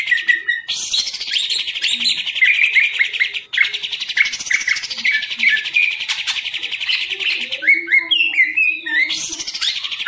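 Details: Caged green leafbird, a hobby and contest songbird, singing a loud, fast, continuous song of rapid chattering trills with repeated downward-slurred whistles and a few sharp high notes.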